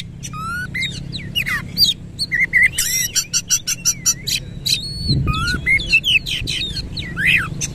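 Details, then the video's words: Oriental magpie-robin (kacer) singing vigorously in the rolling 'nembak ngerol' style with its tail fully spread; clear whistled slurs, rising and falling sweeps, and a run of rapid buzzy broadband notes over a low background hum. "KACER GACOR NEMBAK NGEROL FULL BUKA EKOR"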